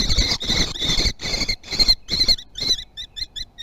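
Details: Common kestrel nest at Théding, 18 June 2020, adult bringing a lizard: harsh high calls in rapid bursts of about two or three per second, loud at first, then fading into shorter, sharper notes.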